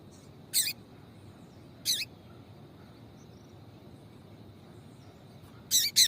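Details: Papa-capim female seedeater calling to excite males into song. Short high chips: one, another after about a second and a half, then a quick double note near the end, over a soft steady hum.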